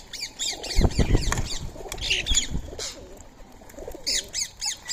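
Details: Indian ringneck parakeets, free-living, visiting to eat soaked rice and corn in the early morning of 20 March 2025; repeated shrill screeching calls in quick runs, with low thuds and rustling from feeding birds between them.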